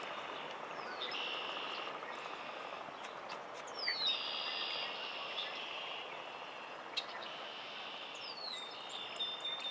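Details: Red-winged blackbird (Agelaius phoeniceus) in Quebec, Canada, summer 2023: three high, buzzy, trilled notes, each about a second long, spaced a few seconds apart, over a steady rushing background noise.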